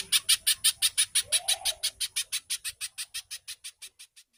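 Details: Fast chattering song of a little spiderhunter, said to resemble the tenke buto and played to stimulate captive birds: rasping high notes in quick, regular succession that gradually weaken and fade out, with a soft low swish midway.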